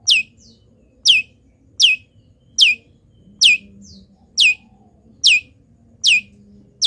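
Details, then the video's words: Long-tailed shrike, a local bird, in full mimicry song while moulting: a sharp whistled note sweeping downward, repeated steadily about every 0.8 seconds, with a soft extra chirp now and then over a low background hum. "CENDET GACOR FULL ISIAM BURUNG LIAR"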